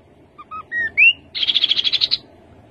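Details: A rufous-capped babbler gives a few soft, level whistled notes, then a louder upslurred whistle, followed at once by a quick, even trill of about ten high buzzy notes.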